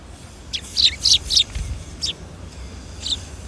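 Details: Sparrows coming to be fed at a Tenmangu shrine on an April 2021 afternoon. Three close, scratchy chirps are followed by two single, spaced tweets over faint outdoor background noise.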